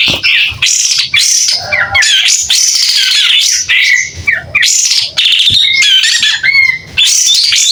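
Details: White-rumped shama, singing actively and opening its tail, delivers a clear mix of loud whistles, squeaky notes and short trills in bursts of one or two seconds with brief gaps.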